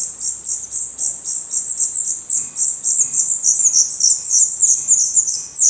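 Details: Black Redstart nestlings in Portugal, eyes open and growing definitive feathers, call in a rapid, pulsing chorus of very high, thin squeaks, about three per second.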